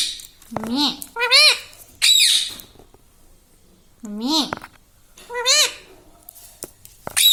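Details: Pet ringneck parrot in a small room saying learned words like mummy and papa; short arched, nasal voiced syllables come in pairs, separated by quiet pauses of one to two seconds.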